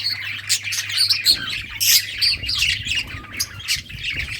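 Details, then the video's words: Several budgerigars playing, recorded June 17, 2023: dense overlapping chatter of high chirps and short squawks, bursts every fraction of a second, with a faint steady low hum underneath. "Budgies playing and chirping"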